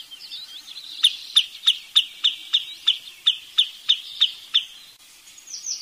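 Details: After a soft, wavering start, a Wood Sandpiper delivers a steady run of about twelve sharp, high whistled notes, roughly three per second, then falls quiet.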